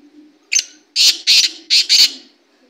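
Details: Loud black francolin call in which one brief clipped note is followed by four rasping, scratchy notes grouped in pairs, delivered within about a second and a half.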